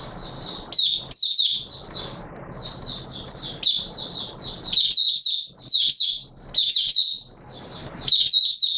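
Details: Opening song of a Mata Puteh Raja, or Oriental white-eye, on 24 March 2022: high, sweet twittering bursts with occasional sharper upward notes, irregularly spaced, over a low background hiss and rustle.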